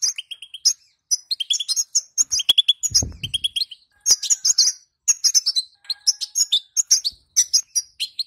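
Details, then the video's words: Calls of a female European goldfinch, used to spur males into song: quick clusters of bright, high twittering notes and liquid chirps in short runs separated by brief pauses, with sharp clicks and a low rustle near three seconds. "بتبتة أنثى_حذاري حذاري سنفجر الحسون مع هذه البتبته سيغرد حسونك وستلاحظ الفرق"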